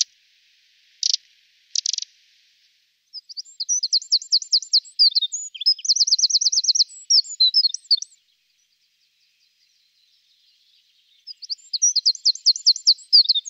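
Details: Adult male Eurasian wren giving two harsh ticking calls, then its song: a loud, high, rapid outpouring of trills and sharp notes, repeated after a pause.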